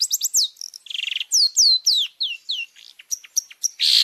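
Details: Varied long-tailed shrike song meant to train caged birds: loud falling whistles and clipped chirps interspersed with short harsh grating rasps at the start and end, all in quick succession.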